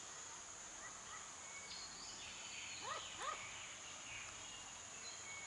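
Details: A wild, moulting brown New Caledonian crow gives a pair of short, arched, nasal calls close together, with softer calls earlier; another crow calls in the distance and one begs faintly, over steady insect hiss.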